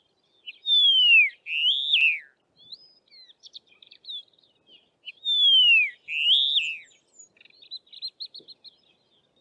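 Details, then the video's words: A Karoo long-billed lark calls on the open plains of the southern Karoo: a loud, far-carrying, drawn-out descending whistle, then a rising-and-falling note, twice about five seconds apart, with soft high chips after each phrase. "Karoo Long-billed Lark calling"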